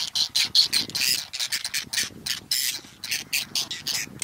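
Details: Many whiskered terns call over their breeding colony among lotus and water chestnut in the Astrakhan reserve, Russia, late July 2017. Short, grating, squawking notes pour out rapidly and irregularly, several birds overlapping.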